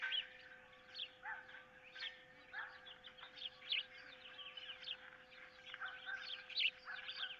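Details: Osprey pair on a camera-watched nest, 15 April 2023, one holding a fish and a stick while its mate wants it, an intruder nearby; many faint, high, upslurred chirps in quick loose series over a steady electrical hum.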